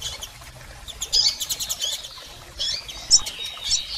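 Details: Double-collared seedeater female and male calls, used to stimulate a male: a bed of rapid, high ticking pulses with sharp chirps around the first second and a brighter burst of squeaky notes after two and a half seconds.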